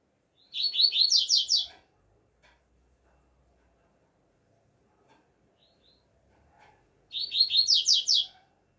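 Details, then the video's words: Double-collared seedeater singing outdoors in the 'alegria tuí tuí zeo zeo' style: two bursts of rapid, high buzzy slurred notes about six seconds apart, each around a second long, with silence between. "COLEIRO ALEGRIA TUÍ TUÍ ZEO ZEO CANTANDO AO AR LIVRE"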